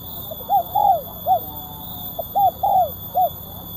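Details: Spotted dove singing kuk 1 style in a tight, sharp voice, 2024: two near-identical phrases, each a short note, a long falling coo and a short final coo, about two seconds apart, over faint electronic hum.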